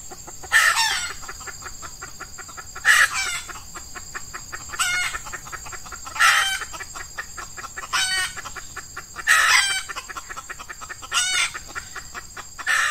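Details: Wild red junglefowl lured by an F1 hen decoy during Ramadan, the season when males are in heat, early morning in hot weather: short, loud, harsh calls about every two seconds over a steady high insect buzz.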